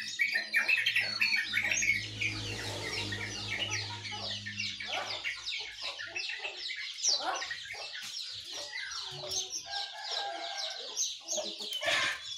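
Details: Morning chorus credited to sooty-headed bulbul, yellow-vented bulbul and white-eye: rapid, overlapping high chirps and twitters throughout, with a low steady hum under the first five seconds.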